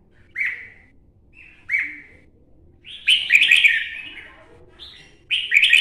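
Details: Red-whiskered bulbul, an adult caught in the wild of Quảng Nam, Vietnam. Two single liquid whistles lead into a dense, excited warbling burst of rapid chirps, then another bright rushed phrase.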